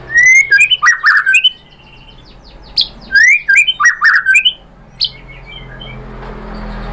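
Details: Song of a white-rumped shama used as a lure to excite birds into replying: two loud bursts of rich warbled whistles mixed with sharp high notes, separated by a pause, then a lone note.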